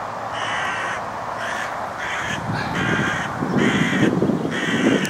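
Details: Young hooded crows at Gorenki railroad station, Balashikha, Moscow District, Russia, June 15, 2011, uttering a steady series of six or seven raspy, drawn-out caws, some doubled, with low rumbling noise rising toward the end.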